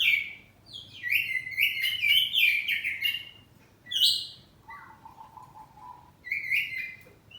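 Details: Home-kept kacer poci oriental magpie-robin singing loudly in ngeplong style with back-and-forth answering: rich bursts of sweet whistles and buzzy trills, a lower drawn-out warble near the middle, then a bright renewed phrase.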